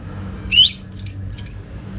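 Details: Orange-headed thrush used as a singing lure for other thrushes: three quick, high, slurred whistles in under two seconds, with a faint low hum behind.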